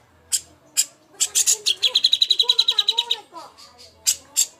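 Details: Greater green leafbird, used as master song for contest birds: a few sharp high chips, then a fast run of rapid, even, metallic notes lasting about two seconds, ending in more scattered chirps.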